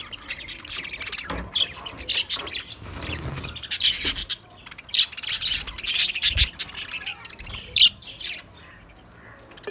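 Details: White budgerigars kept as pets, giving bursts of high, scratchy chirps and squeaky chatter in uneven clusters, with soft rubbing and shuffling noises between calls.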